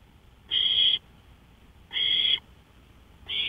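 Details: In the small hours of 5 May 2013, 1:53 AM, an owl on a porch gives loud, steady hissing screeches, each about half a second long, roughly one and a half seconds apart.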